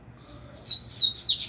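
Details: Double-collared seedeater, a plump bird coming out of moult, sings a quick burst of high, bright twittering notes that sweep and slur over about a second.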